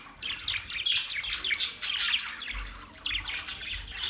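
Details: Chirping Australian budgies: a quick, lively flow of bright, scratchy twitters and squeaky notes, nearly unbroken, with a short high whistle near the middle and soft low thumps beneath.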